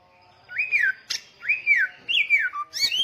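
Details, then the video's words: Samyong songbird singing loudly: three smooth whistled notes that rise and fall, one sharp click between them, ending with a short low whistle and a burst of high notes. "SAMYONG Gacor Ngotot Suara Kenceng"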